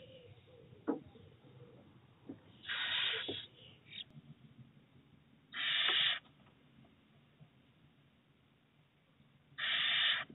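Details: A little owl mother pushing her chick back into the nest box on 4 June 2023 gives three harsh, breathy hisses, each about half a second long, spaced three to four seconds apart over a low steady hum.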